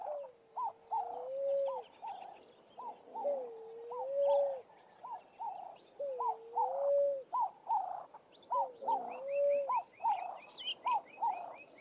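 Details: At sunrise in the southern Karoo, a Namaqua Dove gives low, drawn-out hooting notes that swell and rise, about every three seconds; other birds add short repeated chips and a brief high trill near the end.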